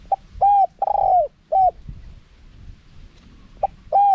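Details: Spotted dove in a wild-style cooing call with a small voice, recorded for playback to lure wild doves. Short coos followed by one long drawn coo, then a pause and two more short-long coos, loud and close.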